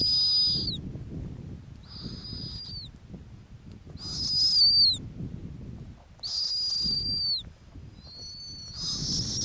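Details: On an Arctic ground nest, a female snowy owl utters five rasping, high screams with falling tails, irregularly spaced, over steady wind rumble.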